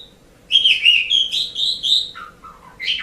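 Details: Asian pied starling song for tutoring pet birds: a rapid, continuous string of bright whistled and chattering notes, dropping into lower, throatier sounds before ending on a rising squeak.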